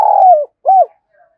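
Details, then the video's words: Spotted dove cooing to lure other doves, a Vietnamese lure call style; two short mellow low coos, the first longer and gently falling, the second arched, then a faint trailing note. "Chim cu gáy kích bổi"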